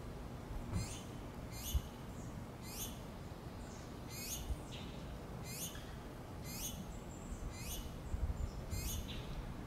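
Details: Hungry finch chicks calling for their mother to feed them: eight sharp, high, downward-sweeping squeaks at a steady pace, about one per second, over soft background hiss.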